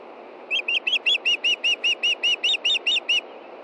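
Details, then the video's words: Nesting female osprey in Montana begging for fish near dusk in June while the male fishes close by: around fourteen piercing, evenly spaced whistled yelps in quick succession, high and slightly downslurred, above a soft constant hum. "IRIS CALLS FOR FISH AND STAN DELIVERS!"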